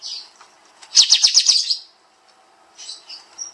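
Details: Songbird-training master recording of the kapas tembak bulbul in the rapid 'nembak' style: one dense burst of about eight sharp high chirps, flanked by softer, breathy twitters.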